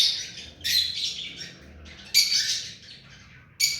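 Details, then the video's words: Hand-tamed rose-ringed parakeet screeching shrilly and harshly. Loud bursts come at roughly half-second, two-second and three-and-a-half-second marks, with fainter rasping between. "Mithu parrot hand taime and clear sound"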